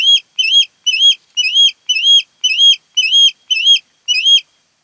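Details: Ospreys at their nest on Kent Island, Maryland, one of a pair that returns each year, filmed by a nest cam on 08-10-2018. Nine even, high upslurred whistles come about twice per second.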